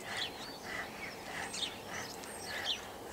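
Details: Common starlings flocking in a tree give overlapping whistles, chirps and clicks, with short rising and falling whistled notes over a steady hiss of background noise.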